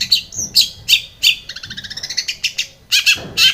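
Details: Long-tailed shrike song played to spur a silent shrike into singing: loud scratchy notes, then a fast run of thin twittering, then harsh notes again.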